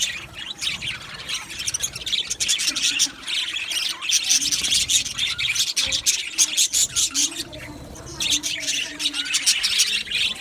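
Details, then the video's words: Continuous chatter from many male budgerigars on 8 December 2025: dense, high, rasping chirps tumbling over each other without a break, pulsing in loudness. "Beautiful Male Budgies Sounds | Budgies chirping sounds"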